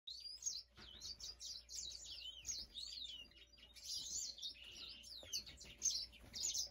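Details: African grey singing finch singing a fast, jumbled warble of high twittering notes, sweeping whistles and buzzy trills, with a brief pause near the start and quieter stretches between loud phrases.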